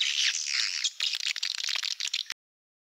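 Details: Swiftlet farming lure sound of the Malaysian type from Indonesia: a dense high twittering chorus that breaks into quick clicky chirps, then stops abruptly.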